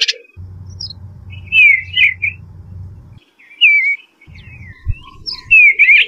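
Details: Eastern bluebird song: soft, slurred warbles in brief phrases, quieter murmuring notes between them, over a steady low hum that stops midway.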